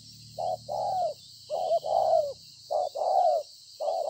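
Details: Wild-caught spotted dove recorded 26 September 2020, giving repeated low coo phrases: a brief note followed by a longer, slightly falling coo, roughly every second and a quarter, over faint low rumble and high hiss.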